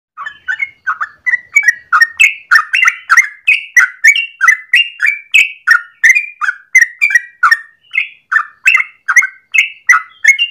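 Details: Yellow-vented bulbul singing actively in the morning, a long rolling song style used as a lure or master for training birds: a steady stream of bubbly, liquid whistled notes, roughly three per second, each dipping and rising, continuing without a break.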